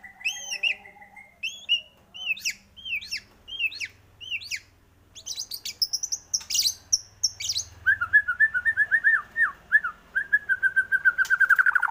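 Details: White-rumped shama song used as a lure to get shamas singing: spaced, upward-flicking whistled notes, a dense high buzzy burst in the middle, then a rapid chattering run of warbled notes.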